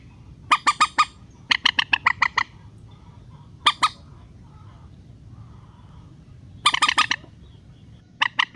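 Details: Rail, relaxed call used as a lure to bring birds down for nets: scattered harsh squawking notes, a few quick runs then longer pauses, ending with a dense burst; quiet low hum throughout.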